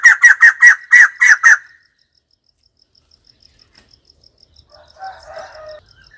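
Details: White-crested laughingthrush giving a rapid series of seven harsh, chattering notes in about one and a half seconds, followed by silence and a faint, low warbling sound near the end.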